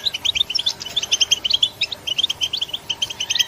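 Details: European goldfinch giving a continuous twittering song of quick, bright, tinkling notes in clustered bursts, several per second, with a steady faint hum in the background.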